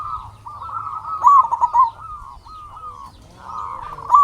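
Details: Lure song of a local zebra dove meant to rouse silent doves: a loud trilled, warbling coo phrase in the middle, softer cooing notes before and after, and a fresh burst starting at the end.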